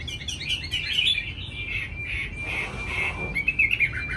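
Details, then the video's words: Chinese hwamei in a cage in Hanoi, Vietnam, giving a softer, rolling high warble that blurs into buzzy, sustained notes before a few crisp chirps at the end. "mi hót mau mỏ"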